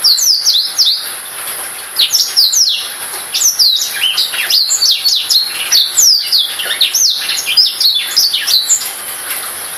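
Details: Black-throated canary song: a dense, fast run of high twittering notes and downward-sweeping whistles, delivered in bursts with brief pauses over nearly ten seconds.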